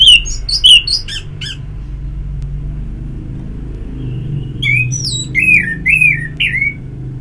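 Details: Ngeplong song of an Orange-headed thrush, meant to encourage singing. Quick runs of high whistles and chirps, a quiet gap, then wavering slurred whistled notes over a steady low vehicle rumble.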